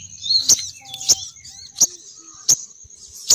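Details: Sogon bird female call used to lure males down. Sharp high chips come about every 0.7 seconds over a buzzy, high twittering background, with a faint low rumble early on.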